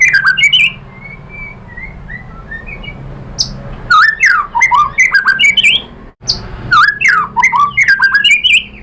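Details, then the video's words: White-rumped shama song used to lure other shamas into replying: bursts of sharp varied whistles and chattering notes, a quieter stretch of soft faint whistles, then further rapid jumbled phrases. "MURAI BATU lain jadi NYAUT ikut BUNYI GACOR BONGKAR MATERI ISIAN ¦ PANCINGAN MURAI SHAMA BIRD"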